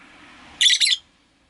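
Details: Rosy-faced lovebirds, five kept in a cage by a window, give a short burst of two harsh, high chirps over faint low background hum from the street.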